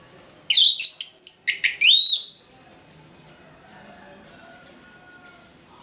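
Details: Orange-headed thrush delivering its loud morning ngeplong song as a lure for sluggish birds; rapid rich whistles with upward and downward swoops for two seconds, then quiet with a faint buzzy note.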